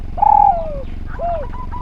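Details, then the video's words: Spotted dove in active song: one long mellow coo held steady and then sliding down, followed after a pause by a short arched coo, with faint distant bird notes behind. "Derkuku Gacor Suara Nglaras, Masteran Derkuku"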